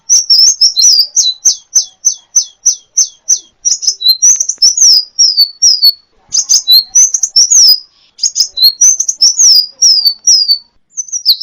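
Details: Kolibri ninja, a champion sunbird, singing for a training recording: rhythmic run of high, sharply falling chips followed by rapid squeaky twitters and trills in bursts with brief gaps. Clean, without background sounds.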